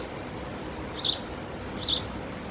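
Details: Two short, high chirps from a singing male house sparrow, almost a second apart, against quiet, even background noise.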